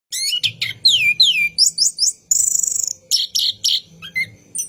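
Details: Orange-headed thrush singing at night, a lure recording for training cage birds in a long rolling style: fast varied whistles, downslurred notes and dense chattering phrases, loud and continuous with brief gaps, faint low hum beneath.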